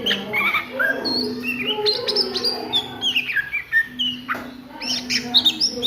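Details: Oriental magpie-robin in ngriwik-style song at midday, mixing high thin whistles, descending slurs and chattering bursts, with a low droning hum throughout.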